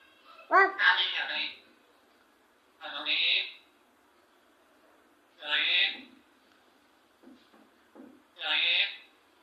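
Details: African grey parrot talking indoors in a small room, producing Hindi speech-like phrases such as a repeated question, in four separate bursts a few seconds apart with nasal, bright voice tones.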